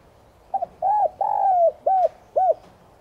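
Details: A spotted dove (Streptopelia chinensis tigrina) gives a morning calling phrase in soft, hollow coos: a quick double note, two drawn-out arched coos, then two short falling coos, over quiet background.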